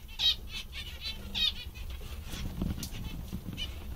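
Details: Zebra finches in a good mood give a few sharp nasal calls early on, followed by softer scattered notes and some rustling, over a low hum.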